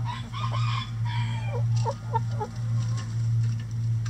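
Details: Chickens pecking and destroying a cabbage ball hung in their run; a quick series of short, hoarse, falling calls over about two seconds, with a steady deep mechanical hum beneath.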